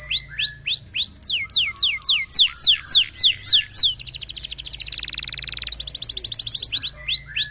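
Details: Competition-training canary song, roll type: repeated sharp downslurred whistles roughly every third of a second, switching to a long fast churring roll near four kilometres of pitch, then resuming the whistled sweeps; faint low hum throughout.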